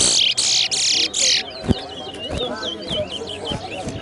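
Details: A Chestnut-bellied seed finch (brown towa towa) sings quick, high whistled and twittering phrases with sliding notes during a morning singing race at a Guyana bird ground; harsh noise bursts at the start, faint voices behind.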